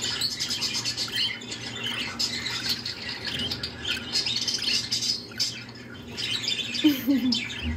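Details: A happy female pet budgerigar warbles a continuous, chattering song of scratchy chirps and squeaky notes.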